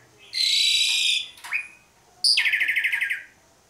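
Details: Energetic Asian pied starling song meant to prompt other birds to sing: a long harsh buzzy note, a short upward flick, then a rapid pulsed, rattling harmonic phrase.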